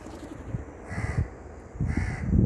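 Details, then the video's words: A crow gives two harsh, nasal caws about a second apart over steady low rumbling background noise. "Loud Parrot & Crow Chirping"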